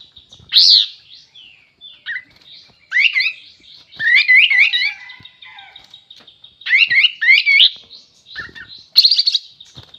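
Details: Sooty-headed bulbul in energetic full song: short bright chattering phrases of warbled, wavering whistles come in bursts about every one to two seconds, with a constant faint high tone behind them.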